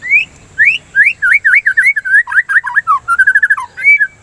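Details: Continuous rich song of a white-rumped shama, used to stimulate singing and to curb breeding excitement: loud upslurred whistles followed by rapid, varied slurred notes and a quick repeated trill, ending on a rising whistle.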